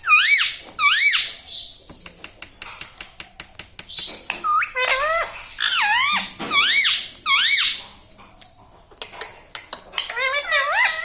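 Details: Talking pet ringneck parrot in a small room, repeating taught words like mummy and papa; a run of looping, wavering squeaky phrases with soft clicks and taps between them.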